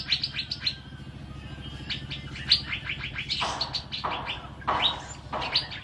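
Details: Asian fairy-bluebird singing actively, recorded as a tutor track for training birds: quick high chirps and whistles. Several broad, hissing noise bursts and a low hum run underneath.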